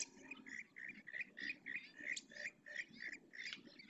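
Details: Purple swamphen chicks, three young at Riet Vell ornithological reserve in the Ebro Delta, Spain, answering parents' calls to be fed; rapid series of short squeaky notes repeated about three times a second, with low murmuring beneath.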